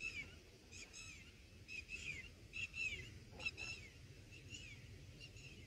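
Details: Red bulbul nest with young being fed on day one of the nesting. Repeated nasal calls with rich overtones, some slurring downward, arrive in irregular bursts roughly once a second, with a soft tap and rustle midway.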